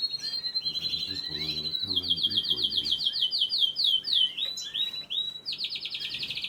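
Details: Feeding canary chicks beg with quick, high, buzzy chirp trains repeated in fast bursts, a low murmuring voice briefly underneath early on, ending in an intense, rapid chatter.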